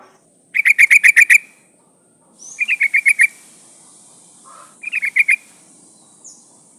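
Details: A female sooty-headed bulbul calling a male: a long fast run of eight rattled notes, then two shorter bursts of five, all crisp and evenly spaced, with a brief soft lower note between them.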